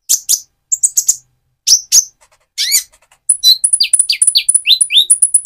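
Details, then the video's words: Spotted-plumage Van Hasselt's sunbird, moulting to metallic feathers, sings as a lure to stimulate another bird: sharp high chips in small clusters, then a fast, continuous run of thin whistled notes and downslurred twitters. "Burung Konin trotol gacor untuk pancingan menaikan mental emosi kolibri ninja"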